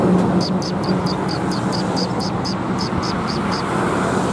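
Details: Sparrows coming to be fed at a shrine approach in March 2021: a steady series of sharp, high chirps, roughly three a second, over constant low road and engine noise.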